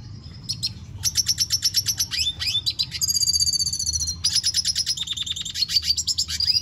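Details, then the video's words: Red siskin singing steadily: fast twittering phrases of sharp high notes, rapid trills and buzzy stretches, with quick chirps and upward-sweeping whistles woven through the strophe. "Pintassilgo da venezuela cantando muito - Suara Burung Red siskin"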